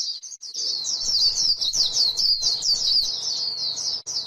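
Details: On grassland, a white-eye gives 'líu' chatter: a shrill, rapid stream of slurred chirps, steady and high, with a quiet moment at the start and near the end.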